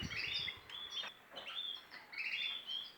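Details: Bred canaries with young leaving the nest: bursts of short, high chirps and thin twittering notes, several overlapping, with brief pauses between groups.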